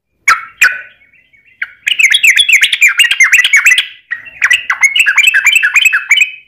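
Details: Trucukan lure song meant to set other birds singing: two loose opening notes, then dense rapid chattering phrases, a brief gap and another quick bubbly run.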